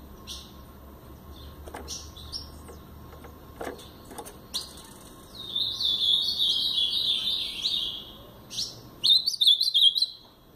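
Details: Scattered clicks and chips lead into a sustained, sweet warbled phrase of rapid slurred whistles from a pardo blue-black grosbeak singing the Paraná song, then a second brief, louder flourish.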